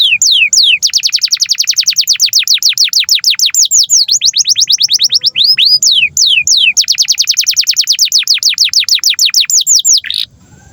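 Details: Canary master song for tutoring young canaries: long, loud, rapid trills of sharply falling notes, changing tempo slightly around four and six seconds, running almost without pause before stopping abruptly.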